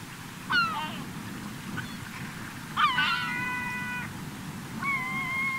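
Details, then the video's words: Gulls gathered on a beach in Cotentin at the close of summer, 7 September 2024: three separate outbursts of nasal, level mewing calls with sharp onsets, over low continuous surf. "Mouettes et Goélands/Regroupement/Fin d'Été !"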